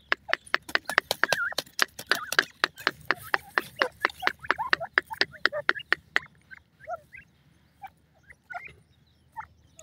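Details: Grey francolin chicks calling: short, thin chirps and upward-bent peeps, some wavering. They sit among a fast, irregular run of sharp broadband clicks that fills the first six seconds, then thins to scattered peeps.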